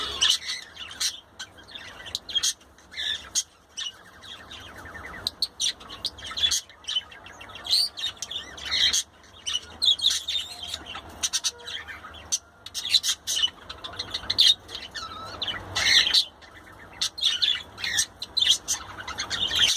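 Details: Budgerigar (Melopsittacus undulatus), chatter.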